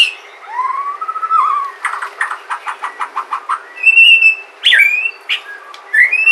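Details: Sumatran white-rumped shama song, played to get other shamas singing: a rising slurred whistle, then a rapid burst of sharp clicking notes, followed by loud high whistles and varied chirps.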